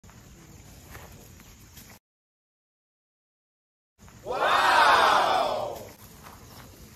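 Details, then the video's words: Desi rooster crowing while spreading its wings: after faint background noise and a short silent gap, one loud harmonic crow of about two seconds that rises, holds, then falls away. "Rooster Crowing || Rooster spreading wings || Desi Murgi"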